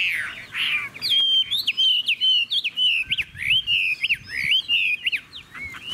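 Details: A Chinese hwamei kept in a cage in Vietnam sings clear, loud whistled notes that rise and fall in wavy slurs, joined into a lively continuous phrase.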